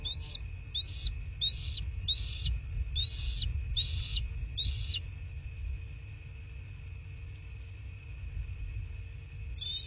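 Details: Bald eagle at a nest in a quiet southwest Florida landscape, caught by a nest camera: a series of seven short, high, chirping notes about every two-thirds of a second, then a pause and one more note, over a steady electrical hum and low rumble.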